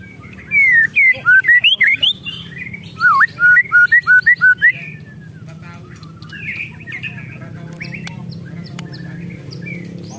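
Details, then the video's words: White-rumped shama, agitated ketrekan call used to provoke other shamas: a fast series of loud, slurred whistled notes, some rising and some falling, for about four seconds, then quieter scattered notes over a low background hum. "ketrekan murai emosi"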